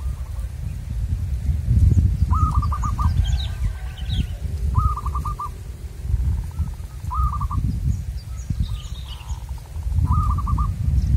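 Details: Wild zebra dove, a local bird being lured: four bright stuttering coo phrases of quick pulsed notes, spaced about two to three seconds apart, with faint distant chirps and gusty low wind noise.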